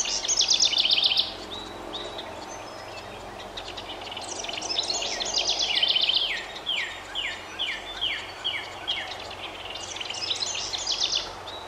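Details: House wren by a nest box while parents coax the last two of five nestlings to leave for a dense hemlock nearby. A rapid high chatter opens, then bubbly notes give way to a long series of descending slurred notes repeated about twice a second.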